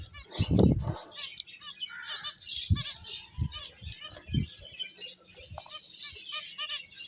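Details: Playing finches chirp in quick, scattered high notes and brief twitters, while dull low bumps and taps sound at irregular intervals.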